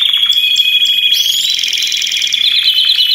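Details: Group of Belgian canaries singing simultaneously: a long, level high trill runs throughout. Brief sharp chirps come early, then a rising sweep leads into rapid beaded rattles.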